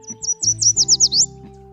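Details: A bright yellow male Yellow Warbler with red breast streaks, spotted in a pine tree in the U.S., sings a quick run of about seven high, sweet slurred notes that speed up toward the end, over a soft low musical hum.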